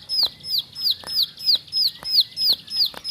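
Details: Bar-winged prinia, a household cage bird, delivering seven crisp, high, falling whistled notes in three seconds, each evenly spaced, with light tapping clicks between.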